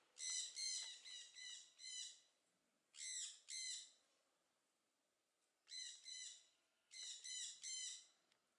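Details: Southern screamer kept at a bird garden in Upie, Drôme, France, calling in loud harsh bursts of two to five repeated notes, separated by short pauses.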